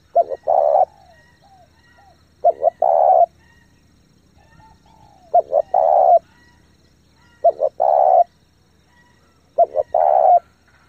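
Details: Fast, strong cooing from a spotted dove, used to rouse decoys and train young birds; five repeated phrases roughly every two and a half seconds, each two clipped coos then a longer mellow note.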